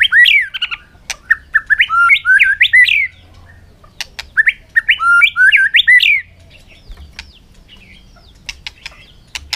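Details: White-rumped shama singing hard in a contest in afternoon sun: two bursts of quick rising slurred whistles separated by sharp clicks, followed by quieter scattered ticks.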